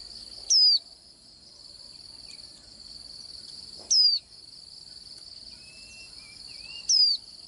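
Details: Swinhoe's white-eye: three brief, high, falling whistles about three seconds apart. Fainter, lower wavering whistles are heard near the end, and a steady shrill background hiss continues throughout.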